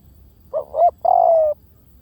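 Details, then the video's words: A single cooing phrase from a spotted dove used for luring: two quick wavering low notes, then a drawn-out, gently falling coo. The background is quiet. "เสียงนกเขาใหญ่!! เสียงต่อ! ชัดๆแบบ V18"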